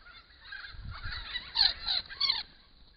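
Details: A large group of noisy friarbirds at a bare bush pond in autumn 2015, while Grey Box eucalypts flowered, give harsh, nasal, honking cackles in three quick bursts with overlapping voices.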